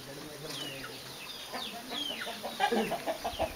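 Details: Chicks with a hen that is showing them how to search for food; thin, downward-sliding peeps repeat irregularly, then a run of short, low clucks builds near the end over a faint background hiss.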